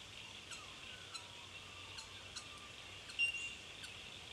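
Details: Bell Miners (Manorina melanophrys) in Victoria, Australia, March 2011, give short, sharp bell-like 'tink' notes about every half second over a steady high ringing chorus, with faint lower whistles beneath.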